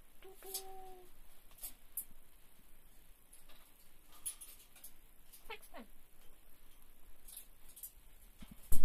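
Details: A female Vosmaeri eclectus parrot, wanting a treat she can't get, gives a short, flat, nasal call, then a few softer falling squawks over quiet indoor room noise.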